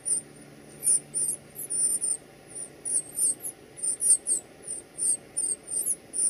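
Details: Northern cardinal chicks being fed at the nest give very high, thin squeaking calls in quick bursts, roughly two or three every second, over a faint low hum.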